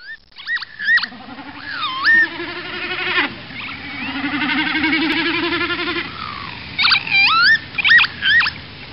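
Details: Northern lapwing, a species that breeds at Asköviken nature reserve, giving wheezy, slurred 'pee-wit' calls that bend up and down, in bursts at the start and end, with a long buzzy drone in between.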